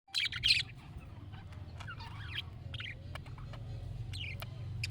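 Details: Budgerigar calling, meant to prompt a pet budgie to answer: a burst of loud, scratchy high chirps at the start, then faint scattered warbling twitters over a steady low hum.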